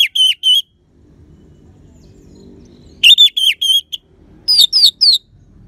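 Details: Orange-headed thrush in Bali singing to coax silent birds into song: short clusters of bright whistled notes, three at the start, five mid-way, then four higher, sharper notes, with quiet gaps between.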